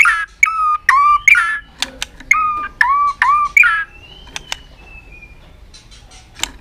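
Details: White-rumped shama in a long, aggressive singing bout meant to rouse other birds: quick paired whistles, high then low, repeated several times. The bird then goes quiet apart from a thin drawn-out note and a few faint clicks.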